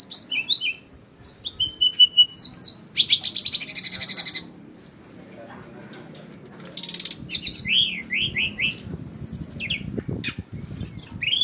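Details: A sikatan rimba (forest flycatcher) sings a rapid, varied string of high chirps, slurred whistles and buzzy trills, with brief pauses between bursts.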